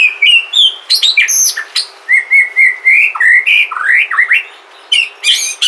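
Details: Sumatran white-rumped shama singing in a natural setting, a song played to spur other shamas into song: rich medley of fluty rising whistles, quick slurred notes and piercing high chips in fast bursts.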